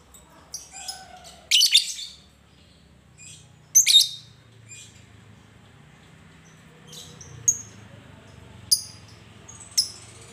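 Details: Lovebird recording used as a prompt to get other lovebirds to sing; scattered sharp, high squawky chirps in short bursts, some close together and others several seconds apart, over a faint low hum.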